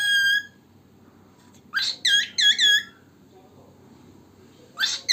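A male cockatiel gives a clear whistled note, then a burst of quick, rising, harmonic-rich chirps.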